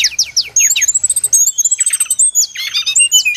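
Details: Trapping-lure recording of brown-chested jungle flycatcher song: a few steep downslurred whistles, then a long thin high whistle overlaid with rapid chattering notes.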